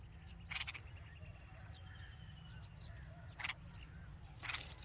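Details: Red-vented bulbul babies in the nest, with their mother, give three short, harsh, scratchy chirping bursts spaced one to three seconds apart over a steady low rumble.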